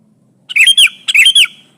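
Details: Sooty-headed bulbul song used as a trapping lure, a bird pressing a rival; two short phrases of bright warbled whistles with a slurred rising-falling note, each about half a second long.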